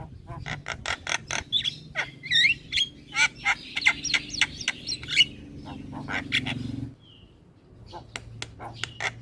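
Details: Caged Javan myna singing energetically while bobbing its head: fast series of dry clicking notes and raspy chatter with sharp whistled squeaks, fading into quiet near the end before soft chatter resumes, steady low hum behind.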